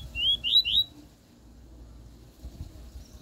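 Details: Double-collared seedeater singing the pure "tui tui" song style, used to tutor a young bird. Three quick, rising, whistled slurred notes, followed by low background rumble and noise.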